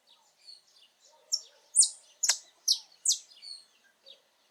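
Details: Saffron finch (Sicalis flaveola), free in its natural habitat, delivers a short burst of five or six loud, bright chirps spaced evenly over about two seconds, framed by soft twittering notes.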